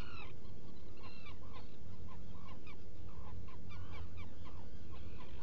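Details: Black guillemot at its burrow on Seal Island NWR, Maine, morning of 18 June 2018; unevenly spaced slurred, slightly rising notes over a steady low background rumble.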